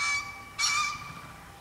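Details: Green pheasant (Phasianus versicolor) male crowing to call females in the breeding season, after noticing the observer: two loud, harsh, hoarse crowing notes about half a second apart, quiet background.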